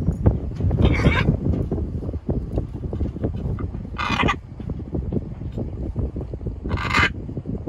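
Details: Pet macaws riding on a boat give three short, grating squawks spaced about three seconds apart, set against steady low-pitched motor noise and background murmur.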